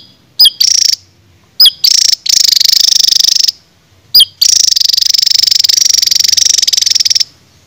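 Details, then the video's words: A songbird sold as a "raja tembak" jadul masteran bird gives sharp upslurred notes, each launching a rapid, buzzy, machine-gun trill; the bursts repeat, the last running about three seconds. "BURUNG JADUL RAJA TEMBAK"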